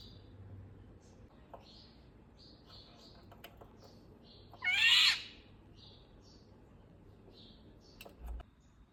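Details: Single rasping, mewing call of an Indian golden oriole near the middle, set against soft high chirps from other birds and a low background hum.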